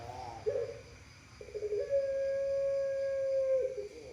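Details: A long-voiced puter pelung dove gives a brief soft coo, then one long, steady, drawn-out low coo held for about two seconds before it fades. The room is otherwise quiet.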